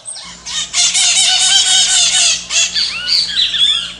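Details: A Pionus parrot (maritaca), whose shrill call carries far, gives a rapid run of harsh, rasping chatter with squeaky, wavering notes for about four seconds, with a faint low hum behind.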